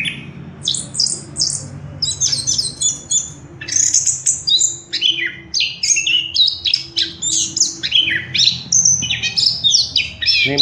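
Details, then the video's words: An orange-headed thrush (punglor kembang) sings a loud, rich, fast run of varied whistled and warbled phrases, high and unbroken, in a small indoor room. "punglor kembang | merangsang burung cepat gacor"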